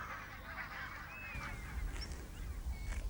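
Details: Barnacle geese on Islay in early March as the first flocks leave for Iceland, a staging post on the flight to Greenland; distant, overlapping honking chatter from a flock, thin whistled notes from other birds, and steady low wind rumble.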